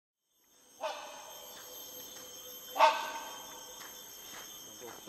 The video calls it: Rhinoceros Hornbill